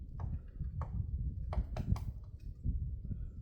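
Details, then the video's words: Woodpecker chipping at a tree trunk on Namsan in Chungju, 7 February 2026: about six crisp knocks at uneven intervals, two close together near the middle, over a deep continuous background rumble. "딱따구리가 나무 쪼는 소리(woodpecker pecking at the tree)"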